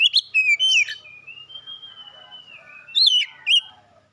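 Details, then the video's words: First-place contest Oriental magpie-robin sings loud, swooping whistled notes, then holds a long level whistle for about two seconds before ending in more sharp, rising-and-falling phrases. "Burung kacer mas Pentiel juara 1"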